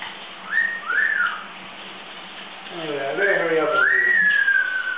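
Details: Pet double yellow-headed amazon parrot singing and dancing indoors; two short rising whistles, then a longer swooping whistle that arches up and slowly falls, over lower throaty voiced notes in a small room.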